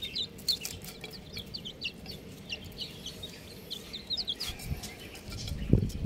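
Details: Chicks chirping in a lively stream of short, high, downward-slurred peeps from several birds, fairly irregular in spacing; near the end a louder low thud or handling noise.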